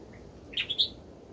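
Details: Bulbul chicks in their nest being fed by a parent; three quick, high, squeaky chirps in succession within under half a second.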